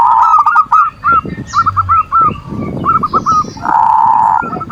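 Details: Zebra dove (perkutut) manggung song, played to provoke rival doves and stir lazy birds into calling and breeding condition: bursts of quick, arched cooing notes, several overlapping, with a harsh buzzy sustained tone near the end.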